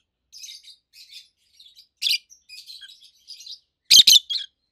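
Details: Adult rosy-faced lovebirds kept as pets produce soft twittering notes building to a harsh chirp, then a loud double burst of shrill chirps near the end.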